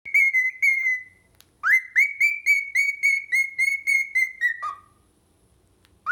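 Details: A cockatiel sings to its reflection in a mirror: clear, pure whistled notes in quick repeated runs, with a rising start and a falling end.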